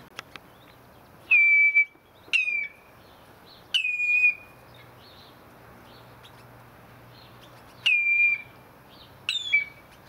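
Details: Common redshanks kept in an aviary give loud, clear whistled calls, each starting with a sharp downward slur and levelling into a steady piping note, in short bursts at irregular intervals separated by quiet pauses.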